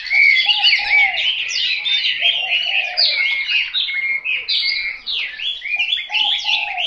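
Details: Chinese hwamei pouring out a fast, jumbled whistling song with rapid slurred phrases, accompanied by lower, short cooing-like notes from another bird repeating every second or so.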